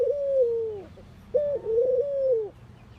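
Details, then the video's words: Two mellow, low-pitched coos from a ring-necked dove in India at morning, the first short and falling, the second longer with a gentle wobble, set against a quiet background. "Ringneckdoves calling sound !! Indian Birds Dove morning activity Doves cooing"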